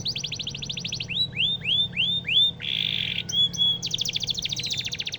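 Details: Canary song meant for teaching White-rumped shamas. It opens with a fast even trill, moves into a few arched whistles and a harsh buzzy phrase, then ends in a rapid rolling rattle, with steady low hum behind.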